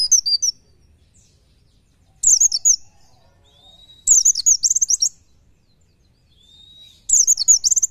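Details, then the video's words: Fast 'nembak nyepeed' song of an Oriental white-eye, a tutor recording for training birds: short, shrill bursts of rapid, tumbling notes recur every two to three seconds, with a thin, faint whistle between bursts. "MASTERAN PLECI NEMBAK NYEPEED"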